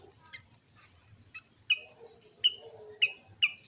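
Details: Sooty-headed bulbul in loud, clear song used as a lure to provoke other bulbuls into singing; sharp, bright chirps that drop steeply and then hold level, five spaced notes over about four seconds, with a faint lower murmur beneath.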